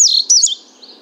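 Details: Indigo Bunting recorded from 50 feet away with a parabolic microphone; a brief burst of high, sweeping, slurred notes, then a fading softer note, with no other sounds.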